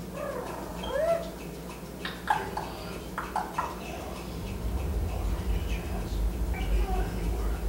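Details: Male pet eclectus parrot, a foster bird indoors that talks and whistles when the TV is on and no one is around, gives rising harmonic whistled sweeps and short clicks, followed by a low steady indoor hum.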